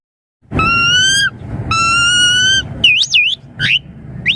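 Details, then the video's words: Asian pied starling lure song for young birds: two long, steady, rich nasal whistles with strong overtones, followed by a looping up-and-down warble and short rising notes. "Suara Jalak Suren Untuk Pancingan Burung Jalak Suren Muda Agar Cepat Nyaut Gacor Full Isian Mewah"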